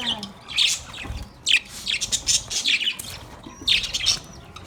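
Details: Caged budgies at play, said to be happy, utter separate clusters of sharp, high, scratchy chirps with brief pauses between the bursts.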